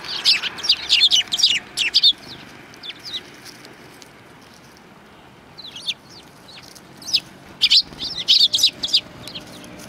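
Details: A group of Eurasian tree sparrows at a Tenmangu shrine approach, recorded 12 December 2019, gives bright, high chirps in busy, irregular bursts, with a quieter gap in the middle and a faint background rumble.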